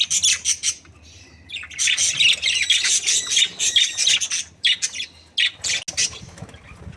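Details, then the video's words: Budgerigar breeding pair chattering almost nonstop: dense buzzy warbling and squawky chirps in rapid bursts, with brief breaks. "Happy budgies chirping sounds | parakeet breeding pair"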